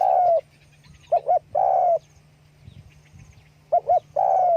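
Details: Calling spotted dove, wings flapping: long sustained coos that fall slightly in pitch, each preceded by a pair of short clipped notes. Brief quiet gaps separate the phrases.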